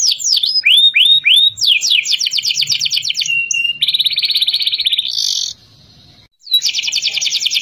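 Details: Young kenari learning to sing: opens with four falling swooped whistles, then a fast rattling trill, a brief flat tone, a long buzzing rolled phrase, a short pause and renewed trilling.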